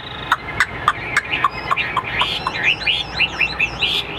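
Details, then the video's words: A captive Chinese hwamei, newly acquired and described as a fighting bird, sings a rich run of loud, clear notes, first spaced about every quarter second, then sliding into quick looping whistled phrases. "chất giọng cực hay l Hoạt Họa Mi"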